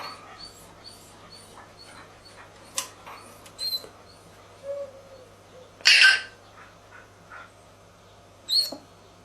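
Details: George, a male African grey parrot born in 1999, mimics human speech in short scattered clicks and chattering bursts, with one loud harsh squawk midway and a brief low whistle.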